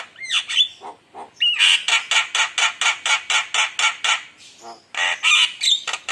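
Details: Lure recording of a lively Javan myna intended to provoke rivals: whistled notes give way to a long, rapid series of loud harsh squawks repeated about three times a second, ending with more squawks and short whistles.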